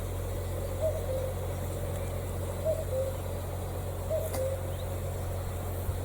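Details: Common cuckoo on a sunny spring day in a Ukrainian village calls a soft, falling two-note 'cu-koo', repeated about every two seconds, over a steady low engine hum; the listener suspects two or more cuckoos are calling, singing unusually long.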